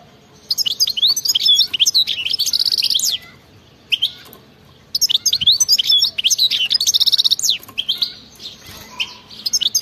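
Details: Wild-type European goldfinch in fervent 'batbata' song: two long phrases of dense, high, liquid twittering and buzzy trills, split by a brief pause and a lone note.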